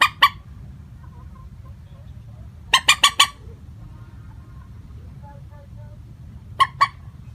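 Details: Lure call of a common moorhen, unvaried in tone: two short rasping notes, a rapid run of four harsh kek notes near the middle, and another pair near the end, with quiet low background rumble.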